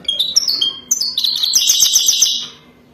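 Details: European goldfinch singing a mating song described as wadani: a few clear whistled notes, then a dense burst of rapid, high, liquid twittering with tinkling trills that fades out after about two and a half seconds.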